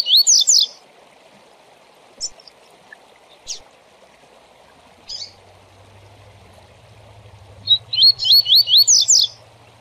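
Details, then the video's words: Seedeater, a tournament Coleiro or Papa-capim, sings a 'Tui Tui Zel Zel' song used to train and shape tournament birds' song: high, rapid twittering phrases in two bursts with single chips between, over steady rushing water. "Tui Tui Zel Zel para Encarte e Manejo de Papacapim e Coleiro de TORNEIO"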